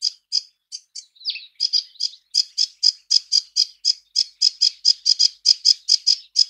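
A Sedge Warbler delivers a rushed, chattering run of dry, scratchy notes, about three or four a second, with a brief slurred phrase near the start.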